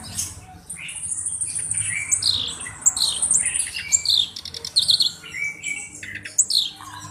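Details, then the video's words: Black-browed reed warbler in full, lively song: a fast, varied jumble of squeaky whistles, harsh chatters and sweeping high notes with short pauses between bursts. "BURUNG KERAK BASI ALIS HITAM GACOR/MASTERAN KERAK BASI"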